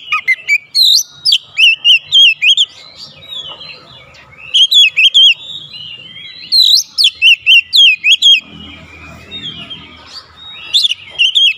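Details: Oriental magpie-robin singing against a rival: four loud bursts of quick, chirpy whistled notes, each run of several rapid phrases, with low rumbling noise between them.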